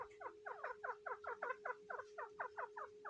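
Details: Grey francolin (dakhni teetar) kept during the breeding season, producing loud, rhythmic downward-slurred chirps in a fast even series, about four per second, over a steady background hum.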